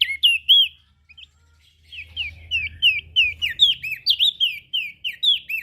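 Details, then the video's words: Ashy prinia calling energetically, a recording used as a lure for small birds: a rapid run of sharp, swooping chirps, mostly falling or looping notes, after a brief pause near the start, over a faint low hum. "Suara Burung Prenjak Daun Gacor Ngepoling PAs Buat Pancingan Burung Kecil"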